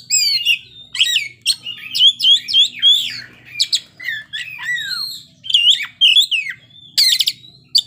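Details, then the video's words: Oriental magpie-robin in the ngeplay singing style, unloading its isian fill-in phrases. Fast strings of whistles, squeaks and downslurred notes run almost without pause, ending in a harsh rattling burst. "kacer ngeplay bongkar isian"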